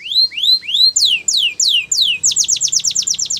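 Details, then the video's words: Russian canary singing flute-style: three rising whistled notes, then slow, clear descending slurs, then a quick rhythmic tour of repeated falling notes, with a faint low hum behind. "Russian Canary Flute Singing"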